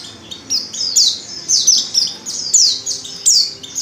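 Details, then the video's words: Calls of a female white-eye in heat summoning a male: quick, high, descending chirps repeated roughly twice a second in an irregular chain. "Pleci | betina | Birahi Memanggil jantan"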